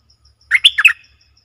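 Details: A Streak-eared Bulbul, recorded 20 March 2022, delivers one brisk phrase of four loud, liquid, slurred chirps in under half a second. Only faint ticking sounds behind it.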